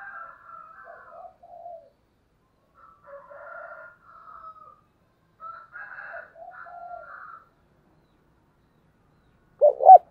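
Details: Spotted dove used as a decoy, calling in the "thúc" style to stir up wild birds: soft rolling coo phrases repeated through most of the recording, then a sudden loud low burst at the very end.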